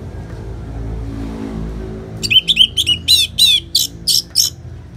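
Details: Orange-headed thrush (anis merah) in the ngeplong song style, part of a bird-therapy recording with natural rain sounds: after two seconds of low rumbling background, a burst of rapid, loud whistled and chattering notes, about eight in quick succession.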